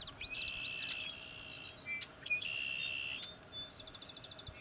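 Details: Sora rail in a wetland conservation area marsh giving upslurred 'ker-wee'-like notes: a rising sweep into a long buzzy tone, repeated twice, then a quick series of short high chips.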